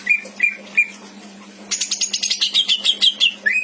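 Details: Caged greater green leafbird in Indramayu, a songster with varied borrowed phrases used to train other birds, gives three short whistles, a pause, then a rapid run of sharp chattering notes ending in a rising whistle.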